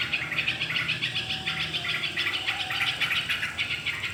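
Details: Yellow-vented bulbul singing vigorously as a lure to get other birds singing: fast, tumbling run of bright chirps about three or four per second, unbroken over four seconds, over a low steady hum.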